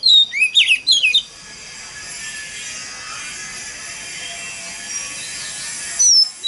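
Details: Oriental magpie-robin giving a lure song in 'mountain forest voice' style to stir other magpie-robins into song. A brief burst of twisting whistles opens, then a long steady hiss, with one thin whistle near the end.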